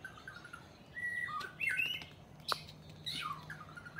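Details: White-rumped shama song of short whistled and slurred phrases separated by pauses, with a sharp click and a few higher squeaky notes; a low hum underneath.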